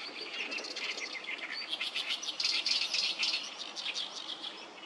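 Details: Many oriental reed warblers singing noisily along Sawatari River on 7 June 2024; rapid grating chatter of rasping repeated syllables fills the air without pause.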